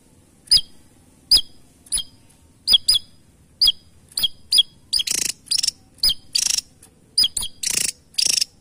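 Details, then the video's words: Javan tesia singing, used as a lure sound: sharp, very high ticking notes roughly once a second, quickening into loud harsh buzzy bursts, against an otherwise quiet background. "Tesia Jawa Burung Unik ‼️ Burung Kecil Suara Pedas Istimewa"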